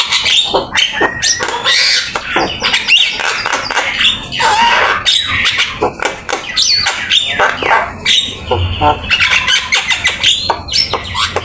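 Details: Javan myna singing nonstop, fill-in rich master song for training: relentless mix of rasping squawks, chirps and short whistled slides in quick succession.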